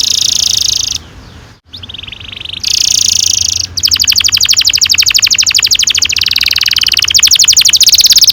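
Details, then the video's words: Canary singing a long rolling song to stimulate young birds: loud buzzy rolls with a short dropout, then a sustained, rapidly pulsed high roll lasting several seconds. "Kenari gacor NGEROL PANJANG cocok untuk PANCINGAN KENARI PAUD"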